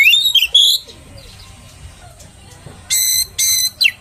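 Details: Oriental magpie-robin song used to provoke rival magpie-robins: a few slurred whistles at the start, a long quiet pause, then harsh buzzy notes in short bursts and a final descending whistle.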